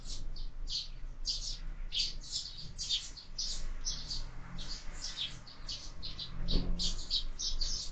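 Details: Sparrows fight at a window-mounted feeder, fed throughout the year, with continuous overlapping high chirps over a steady low background noise and a brief dull knock.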